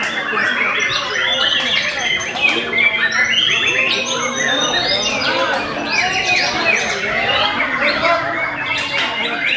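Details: White-rumped shama in full performance, pouring out a loud, dense stream of whistled sweeps, rising and falling slurs, quick trills and chattering notes with almost no pause.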